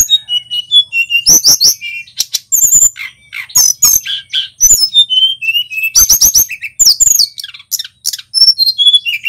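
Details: Energetic song of a male local Sunda robin (tledekan gunung), played to prompt other songbirds to sing: clear high whistles, descending slurred notes, trilled phrases and staccato clicks strung together almost without break, bursts of harsh chatter near the second and sixth seconds.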